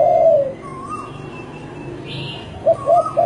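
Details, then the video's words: Spotted dove cooing: one falling coo at the start, a pause with faint background chirps, then a quick triple of short coos at the end. "SUARA EMAS BURUNG TEKUKUR‼️"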